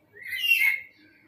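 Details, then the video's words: A single harsh, grating squawk lasting under a second, rising quickly and fading, given by a male black-capped lory trying to attract a female's attention. "Nuri Kepala Hitam jantan menarik perhatian betina"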